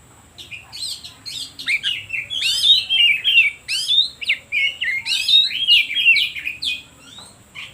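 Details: Oriental magpie-robin (kacer) lure song for stimulating reluctant birds to sing. Soft start building into loud, repeated sweeping whistles and chattering trills about three per second, tapering off at the close.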